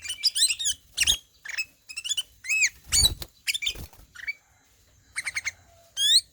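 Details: Kutilang emas (ruby-throated bulbul) ngelowo song: scattered phrases of arched, ringing whistles and high chatter, a few low thumps, and a final sharp rising-falling note.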